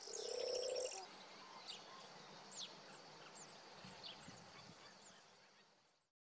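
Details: European turtle dove recorded with a Nikon Coolpix P1000: a short, loud, low purring phrase in the first second, then fainter high chirps from other birds over steady background hiss.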